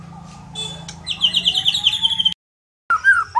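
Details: White-rumped shama of the Medan type, described as gacor, in full vigorous song: a buzzy high trill and a long, slowly rising whistle, a brief break, then a warbled phrase, over a low steady hum.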